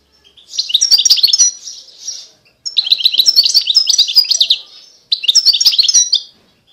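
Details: European goldfinch song: three bursts of rapid tinkling, liquid twitters and buzzy trills high in pitch, separated by short pauses, clean with no other sounds.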